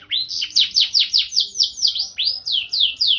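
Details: Canary singing gacor style with ornate cengkok: a steady series of strong falling chirps, roughly four per second, briefly pausing then resuming in the same clear rhythm.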